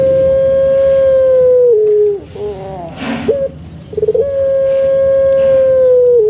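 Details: Indonesian puter pelung, a domestic Barbary dove kept in captivity, sings its full big song: a drawn-out steady coo lasting nearly two seconds, gurgling broken notes, a rapid stutter, then another long even coo.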